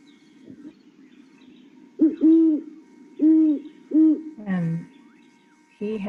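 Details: Great Horned Owl, described as our largest owl, giving a series of four deep, soft hoots in a stuttering rhythm, followed by a person's voice and a faint steady electronic hum.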